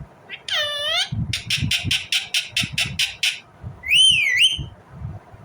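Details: Indian ringneck parrot chirping: a harsh, sweeping call, then a quick run of about ten evenly spaced raspy notes, ending in a twisting, whistled phrase that rises and falls, over low knocking sounds.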